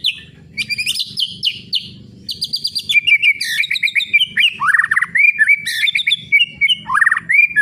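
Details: White-rumped shama singing a continuous, varied song of rapid whistled and chirping phrases, mostly high, with sweeping notes, dense trills and quick repeated notes throughout, used to stimulate other birds.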